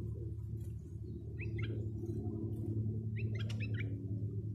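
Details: Bulbul used as a decoy bird to lure wild birds: two short bubbly whistled phrases, each a quick run of three or four rising and falling notes, over a steady loud low hum.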